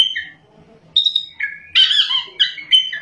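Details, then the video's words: Singing white-rumped shama, called kacer, in ngerol and nembak style; after a quiet start come bright whistled notes, a harsher burst, and clear falling whistles in quick sequence. "kacer gacor ngerol,nembak"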